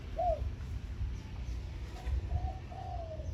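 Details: Zebra dove decoy, caged and hung in front of a house, giving its 'khan yon' morning song: a brief rolling coo, a pause, then soft notes leading into a long smooth coo that falls slightly.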